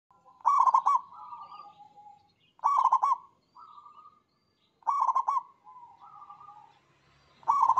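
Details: Zebra dove in long singing bouts: stuttering, rapid bursts of cooing notes near one pitch, each followed by softer drawn-out trilled tones, phrases repeating about every two seconds in a quiet setting.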